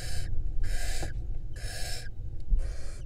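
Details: Female barn owl at a nest box in Israel, a breeding pair that laid five eggs from April 2022. Four harsh broadband hissing screeches, each under half a second, come with short pauses between them.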